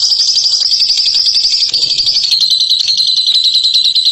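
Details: A champion bird of the ngekek style delivers a steady, shrill, buzzing trill of very fast notes that runs without pause and eases slightly lower in pitch partway through.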